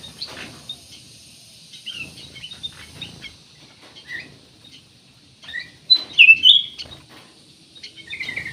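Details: Black-naped oriole (cucak emas) singing energetically as a lure for other birds: scattered soft chirps at first, then a loud whistled, sliding phrase after the midpoint and a falling note at the close.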